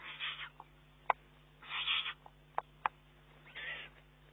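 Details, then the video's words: Young Eurasian eagle-owl taking food from its mother's bill and demanding more, June 2011. Three hoarse hissing screeches alternate with sharp isolated clicks. "oehoe kuiken met de broek aan"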